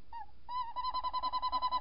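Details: Night recording of a tawny owl, 14 January 2019, second visit: a short rising note, then a longer steady call that breaks into a fast, regular wavering tremolo, pulsing roughly seven times per second.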